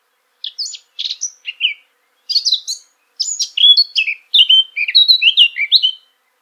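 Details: Eurasian blackcap singing: a clean, loud phrase opening with a few scratchy, hesitant notes, then after a pause breaking into a rapid, rich warbling run of varied whistled notes, high and fluttering, ending abruptly; no other sounds.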